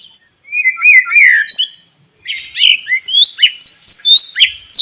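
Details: Morning song of a white-rumped shama, used to stimulate other shamas to sing: two bursts of clear slurred whistles, rising and falling, with rapid high notes in the second phrase.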